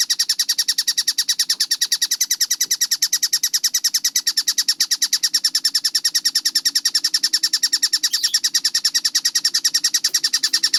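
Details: Collared kingfisher, locally tengkek buto, in a clear, fast-paced training track. Dry, rasping notes are delivered in a long, even string of about three per second over a faint low murmur.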